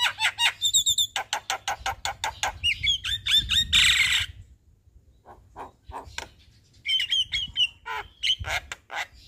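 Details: Javan myna singing through its varied repertoire in the daytime outside a house: rapid rattling clicks, whistled slurs and a loud harsh squawk, a short pause, then more clipped notes and whistles.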